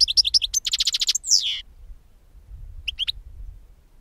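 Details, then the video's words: European goldfinch singing for a bird-capture lure: a few bright chirps, a rapid even series of buzzy pulses, then a sliding downward note, followed after a pause by soft twitters. "Chardonneret qui chante"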